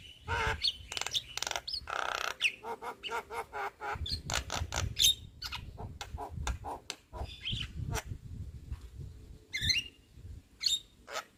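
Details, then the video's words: Young Javan myna in lively, full song: dense runs of harsh dry clicks and rasping ticks in quick irregular bursts, broken by a few short squeaky whistled notes, over a low rumbling background. "Kicauan Jalak Kebo Muda Gacor"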